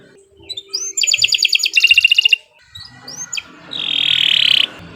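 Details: Canary song intended to encourage other canaries to sing, with scattered short notes, two quick pulsed trill bursts, brief upslurs, and a dense buzzing trill near the end over a noisy background.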